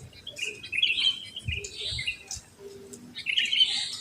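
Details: Sooty-headed bulbuls singing just after dawn in a residential neighbourhood where many live; bright chirped phrases rising and falling, two main bursts separated by a short pause, with soft background rustle.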